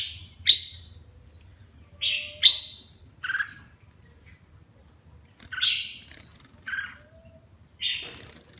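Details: Red-whiskered bulbul ('má lỡ', 'mào lân' crest) bathing and singing: bright whistled notes with sharp attacks, some paired with lower slurred syllables, in phrases spaced one to two seconds apart over a quiet background.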